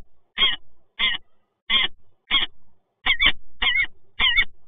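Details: Peregrine falcons of the resident pair meeting in Toruń, 26 August 2022: seven short, harsh, grating notes spaced roughly every half second to second, the later ones slightly faster and doubled.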